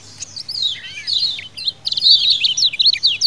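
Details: Lemon-bellied white-eye colony calling, used as a lure. Busy high chirps and twittering trills overlap, with a brief lower whistled slur near one second, then dense rapid chittering from several birds.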